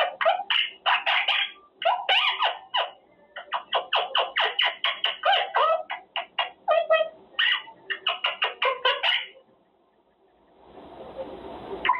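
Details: Male pet quaker parrot in its cage, practicing words such as good boy, pretty boy, baby and thank you: a rapid string of chattering, speech-like syllables for nine seconds, then a brief pause and a soft hissing noise.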